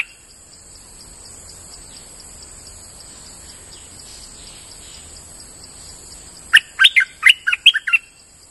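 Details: Streak-eared bulbul singing, used as a lure call: after a steady high insect drone, a quick burst of six or seven sharp, bubbling warbled notes near the end.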